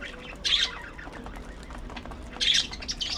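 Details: Pet budgerigars: two short, bright chirps about two seconds apart against a quiet, faintly noisy room.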